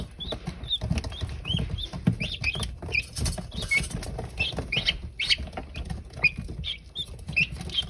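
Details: Newly hatched guineafowl keets, hatched April 28, 2022, several chicks giving short high chirping peeps, some rising or falling, scattered and overlapping throughout, over steady low rustling and soft thumping of movement.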